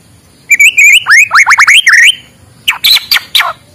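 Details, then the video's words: Morning song of a white-rumped shama, used to prompt lazy birds to sing: a fast run of high, sharply rising whistled notes, a short pause, then a second burst of bright up-slurred notes. "suara muraibatu di pagi hari, untuk pancingan muraibatu malas bunyi"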